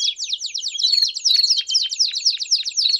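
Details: Belgian canary warm-up song: a crisp, rapid rolling trill of evenly repeated descending notes, about four per second, with a steady high whistled thread running through it.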